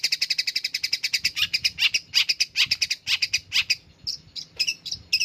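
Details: Caged long-tailed shrike singing after its cage cover is opened: a fast stream of sharp, high chattering notes, several per second, loosening into separated chirps and short squawky phrases.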